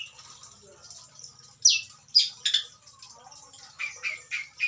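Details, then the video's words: Long-tailed shrike, an adult breeding bird, delivering a mimicry-filled song: quiet scratchy notes, then loud harsh downslurred squawks, ending in a quick series of short, similar notes about four per second, with a faint low hum. "burung pentet indukan super full isian"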